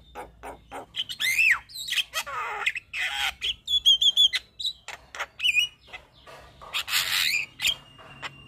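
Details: White-eyed Javan myna in energetic, full-repertoire song with head-bobbing, mixing rapid clicks, scratchy bursts, a rising-then-falling swoop, wavering pure whistles and harsh chatter over eight seconds.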